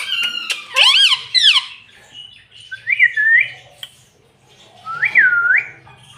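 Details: Pet parrot that talks and says "mummy". Loud, harsh squawk-like bursts with stacked, wavering tones open the clip, followed by two softer, smooth rising-and-falling whistled phrases spaced a few seconds apart.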